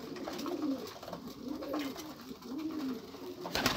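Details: Pigeons cooing in a steady low rolling pattern, with repeated throaty bubbling coos about once a second. A brief loud rustle or clatter comes at the end.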